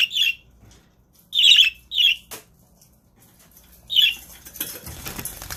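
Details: Budgerigar (Melopsittacus undulatus), contact chirps.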